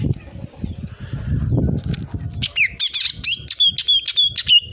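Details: Cucak ijo (green leafbird) tutor recording with full 'tembakan' song. Low rumbling background gives way to a fast series of high, clipped whistles and squeaky chirps repeated rapidly.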